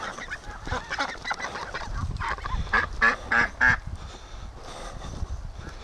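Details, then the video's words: Free-range ducks rushing out in the morning, a group giving harsh quacks over a murmuring flock, with four loud evenly spaced quacks in a row midway, then softer chatter. "Ducks' Morning Rush Is Getting Faster & Faster"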